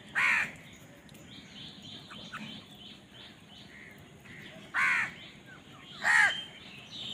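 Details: Crows contending over food: three loud, rasping caws spread over seven seconds, each with a curved, falling tone, with quieter chattering calls between them.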